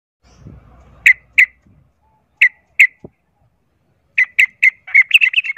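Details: Sooty-headed bulbul fighting song used as a lure to provoke other bulbuls into fighting: loud, sharp single notes spaced about a second apart, then a quickening string of notes ending in rapid chatter.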